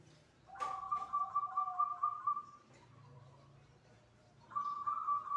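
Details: Perkutut (zebra dove) singing around the dzuhur call to prayer: after a sharp click comes a long, slightly wavering whistled coo, a pause with low hum, then the trilling coo starts again.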